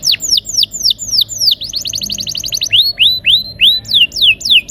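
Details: Canary in a rolling song, used to prompt silent canaries to sing: quick downslurred whistles, three to four a second, break into a fast buzzy trill midway, then return as rising-and-falling whistled notes.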